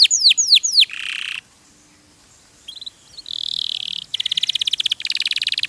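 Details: Canary in a songbird tutor recording: a few sweeping whistled notes and a short buzzy burst, a quiet pause, then a steady mid-high warble and two rapid rattling trills.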